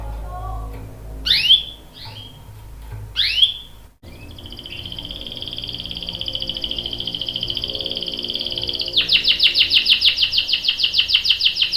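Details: Canary song opening with a few sharp swept notes, then a long, even, high whistled trill that grows into a loud rapid rattling roll.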